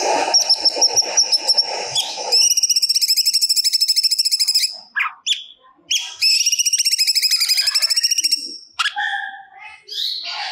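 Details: Cucak cungkok singing in full voice, releasing stored phrases: pulsed high whistles, then two long fast buzzy trills separated by sharp chirps, ending in a jumble of varied short notes.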